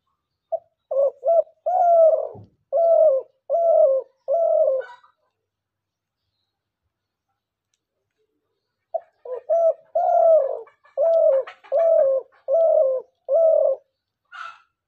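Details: Dove call of the kind used by hunters as a lure: two bursts of repeated low cooing notes, about six or seven evenly spaced coos each, separated by a silent pause, with a faint chirp at the end.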